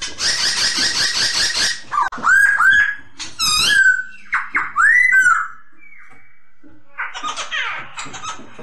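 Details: Masked laughingthrush song used as a training recording for other birds: a burst of harsh, buzzy chatter, then a run of loud, slurred whistles that rise and fall, with a short pause and a softer chattering phrase at the end.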